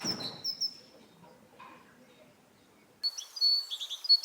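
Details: Great tit song in two bursts: a few high-low whistled notes at the start, a silent gap, then a livelier run of rapid whistled pairs.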